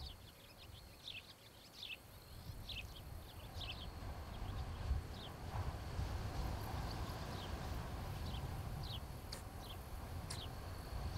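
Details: Osprey pair at their nest in Charlo, Montana, 26 July 2018, from a nest camera around 17:00. Clear bursts of high, down-slurred chirps open the recording, then thin out while a low rumble grows louder.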